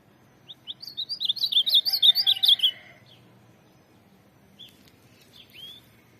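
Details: Ultramarine grosbeak kept as a tournament singer: two soft opening notes, then a rapid, rich warbled phrase of about two seconds, followed by quiet and a few faint isolated notes.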